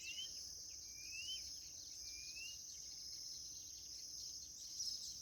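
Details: Chorão singing in the bush in a dog-calling song style: faint, clear whistles sliding upward, three in about five seconds, over a steady insect hiss.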